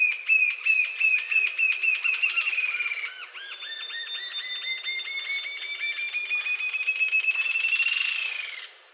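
Green-tailed Jacamar: a quick run of thin, high piping notes, then a longer series that climbs gently and speeds into a ringing trill.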